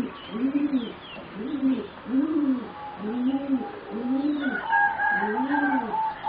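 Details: Young zebra doves bred as competition singing doves, four birds about 3.5 to 4 months old: low, rounded coos repeated at a steady pace, roughly one every second, with faint higher tones joining near the end.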